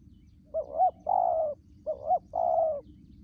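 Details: Wild-caught spotted dove kept as a trapping decoy, cooing in the urging 'thúc gù' style: two low, hollow two-part coos, each a short note and then a longer drawn-out one, over a faint low rumble.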